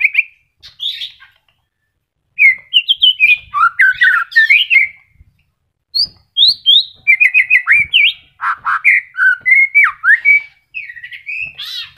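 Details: Moulting white-rumped shama, kept caged, sings a varied, fast song of whistles, sharp chips and downward slurs. The song comes in dense bursts of about twenty notes with brief silences between them. It is used to stir silent shamas into singing.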